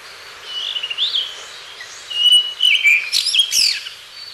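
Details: Blue rock thrush (Monticola solitarius) from a reference sound library: soft warbled whistles rising and falling, a pause, then a louder run of fluty notes ending in rapid, high, sweeping chirps against a faint steady hiss.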